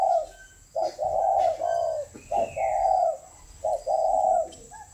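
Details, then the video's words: Captive spotted dove repeating its coo phrase, a clipped note followed by a sustained, soft hollow coo, three times at roughly one-second gaps, with a faint whine throughout. "chim cu gáy"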